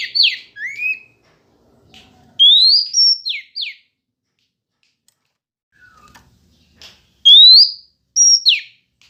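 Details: Female Oriental magpie-robin singing to provoke males. Scattered song fragments with upswept whistles, high flat notes and steep falling strokes, separated by quiet spells with faint clicks.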